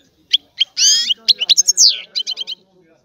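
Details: European goldfinch of Sicilian type singing a rare old-style song: short high chips, a longer buzzy warbled note, quick rising slurs and a closing series of four quick repeated notes, with faint low background murmur.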